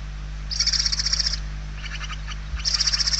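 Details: Barn owl chicks begging for food inside a Spanish nest, November 2023: two loud rattling hisses, each under a second, with a softer rasp between, over steady hum.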